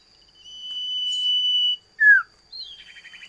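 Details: Common iora, or cipoh, sustains a long, clear, steady whistle, then gives a sharp downward-slurred note. A short rising-falling buzzy trill finishes the phrase, with a thin steady electronic tone behind.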